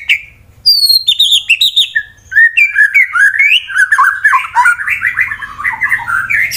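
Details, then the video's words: Fighter white-rumped shama in Wonosobo, Central Java, Indonesia, singing to provoke rival birds: a short whistle, then a descending series of ringing notes followed by a long, rapid, varied warble. "Murai BATU FIGHTER Bikin Emosi lawan langsung GACOR"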